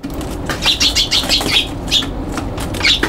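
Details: Young Eurasian tree sparrows fighting on a balcony on 21 June 2022: a rapid burst of harsh, high chirps, then scattered single chirps, mixed with the flutter of wings.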